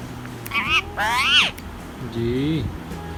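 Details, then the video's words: Tame ring-neck parrot talking in Urdu/Hindi: short, nasal, high-pitched speech-like phrases with rising and falling tones, then a lower, drawn-out voiced sound, over a low background hum. "Ring-neck parrot talking in Urdu/Hindi"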